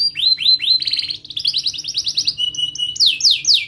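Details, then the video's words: Sharp rolling canary song meant to coax young canaries into singing: downslurred "cuit" chirps, a fast even trill, steady high notes, and loud sweeping downward whistles at the end. "Kenari Gacor Cuit cuit Ngerol TAJAM, TERAPI AMPUH Kenari MACET, Pancingan Kenari Paud Belajar Bunyi"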